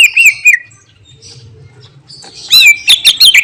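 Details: Greater green leafbird singing with mimicry: wavering whistled notes at the start, a quiet low rumble in the middle, then a loud, rapid series of sharp, looping chirps.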